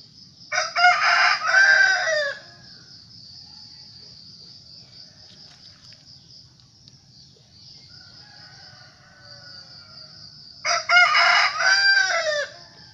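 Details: Rooster crowing: two loud, harsh, harmonic crows, each about two seconds long, rising and then falling at the end, about nine seconds apart. A fainter crow sounds between them. A steady high insect drone runs throughout.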